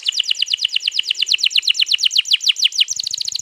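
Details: Canary delivering its long rolling song, used to lure a canary into joining, 21 April 2022: a fast steady run of bright repeated notes, about eight per second, ending in a shorter quicker trill.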